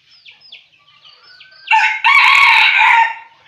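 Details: Decoy red junglefowl rooster crowing to lure wild roosters, Vietnam. Faint, thin chirps from small birds come first, then a short, harsh, two-part crow lasting about one and a half seconds.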